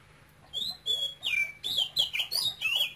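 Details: Cambodian-born male oriental magpie-robin, kept caged and singing in Quảng Ngãi style, opens after a quiet second with bright whistled notes, then a run of fast falling and rising chirps.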